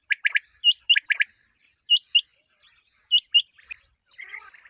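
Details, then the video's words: Common quail calling for quail hunting, opening with two quick triplets of sharp clipped notes, followed by paired higher hooked squeaks and a soft chattering trail at the end. "Batair ki awaz | common quail calling"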